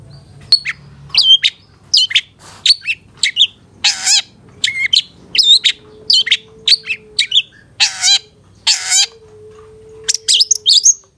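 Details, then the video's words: Long-tailed shrike master song for training caged birds, alternating short sharp chirps with loud rasping buzzy bursts and brief whistles, spaced irregularly over eleven seconds, a faint hum beneath. "Masteran Suara Cendet Satu Titik Nagen❗Pancingan Cendet FULL Isian MEWAH"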